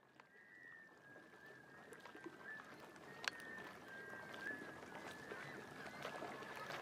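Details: Black scoters courting on Shediac Bay, New Brunswick, in mid-April 2014 during spring migration toward their northern nesting areas give drawn-out, mournful whistles near one steady pitch, overlapping into a near-continuous tone over constant wind and water.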